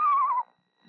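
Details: Female screech owl incubating her eggs in late March, around dusk, sings softly to the eggs: one quavering, mellow whistled note drifting slightly downward over half a second, followed by quiet with faint low rustling.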